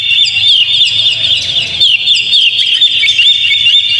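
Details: Kacer, the Oriental magpie-robin, singing as bait to spur another kept bird into song: dense, unbroken high warbling with rapid twittered notes and short whistled slurs, plus a faint low hum underneath.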